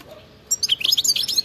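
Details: European goldfinch singing in wild style: after half a second of quiet, a fast volley of bright, tinkling twitter notes fills the rest.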